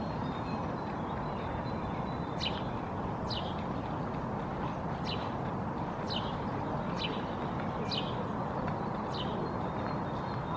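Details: Male house sparrow perched on top of a hedgerow in Helsinki, Finland, May 2024, gives short, sharp chirps about once a second over a steady roar of wind or distant traffic.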